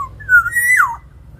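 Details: Black-naped oriole (Oriolus chinensis), song: lure to prompt other birds to sing.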